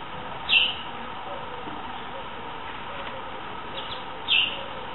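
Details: Coucal chicks (Senegal coucal) during their first month, their nest lost when about three days old: two loud, short, high squeaky calls some four seconds apart, with quieter murmurs between and steady background hiss.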